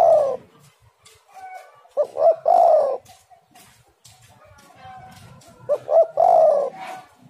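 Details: Spotted dove (tekukur) repeating its coo phrase twice, about four seconds apart, as a lure to make other doves sing: clipped double notes, then a long, resonant, slightly buzzy coo, with faint background murmur.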